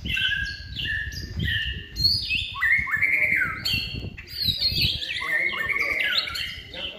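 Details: Caged white-rumped shama trained for song contests, third-season and in contest form: strong whistled notes in stepped phrases, some held, some sliding downward, with chattering trills between; low knocking and rumbling noise underneath.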